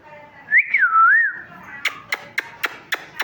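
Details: Pet talking parrot whistles a wavering, rolling phrase, then a steady series of sharp clicks roughly four per second.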